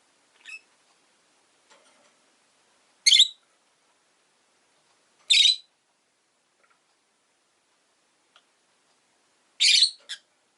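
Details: Rosy-faced lovebirds kept as pets, two birds newly added to the household, giving short, shrill, piercing chirps: four loud harsh bursts spaced two to four seconds apart, with faint softer peeps and quiet gaps between.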